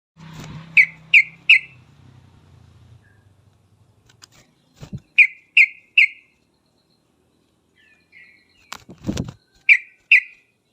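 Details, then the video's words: Yellow-vented bulbul in lively song used to make other birds answer, giving short bursts of three clear, quick notes repeated several times, separated by pauses and a few low thumps. "trucukan gacor uplik uplik tarong ropel tajam ini menjadikan burung trucuk gacor nyaut seketika"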